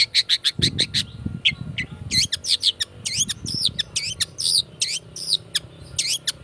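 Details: Long-tailed shrike used as a lure to provoke singing: fast series of harsh, scratchy chattering notes, closely repeated and varied in shape, with a low rumbling background at times.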